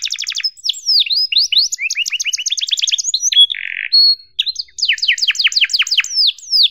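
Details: Canary song recorded to tutor young canaries: rapid trills of repeated notes, swooping whistles, a short buzzy rattle mid-song, then more fast falling-note tours.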